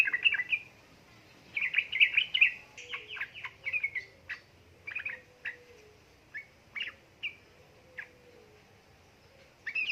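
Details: Yellow-vented bulbul used as a lure to prompt reluctant birds to sing, female calling male; a rich bubbling burst of chirps early on, then single sharp chirps spaced about every second.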